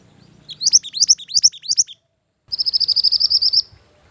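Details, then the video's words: Mantenan gunung bird, used as lure and master song: first four doubled notes swooping up then down, then after a short pause a fast, even trill of about fifteen high rising chirps. "Mantenan Gunung Pikat Gacor"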